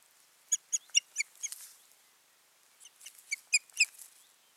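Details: An osprey pair at the nest, 14 June 2019: two clusters of clipped, high, slightly squeaky whistled notes, about five in each run, separated by a brief pause.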